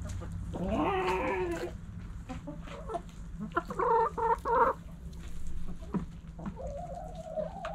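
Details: Backyard chickens while eating: three hoarse, harmonic rooster crows, each about a second long, mixed with scattered hen clucks over a low background hum.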